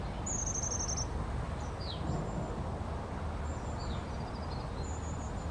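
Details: Long-tailed tit producing a clear, fine high trill lasting nearly a second, followed by downward-slurred notes and further thin trills, over a low continuous rumble.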